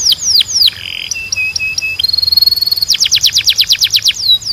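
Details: Canary training song: falling whistles, a brief buzzy note, level piping notes repeated, a sustained rolling tour, then a rapid string of loud descending notes.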